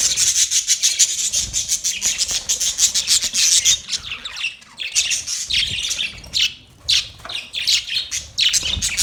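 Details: Budgies chattering intensely: dense, buzzy, rasping high warble made of fast ticking pulses, later breaking into separate squawky chirps with short pauses.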